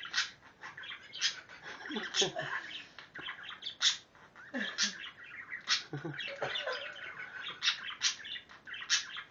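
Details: Male budgie chattering at his own reflection in a mirror, as if kissing it: rapid, scratchy warbles and clicks in uneven bursts, with brief quiet gaps between.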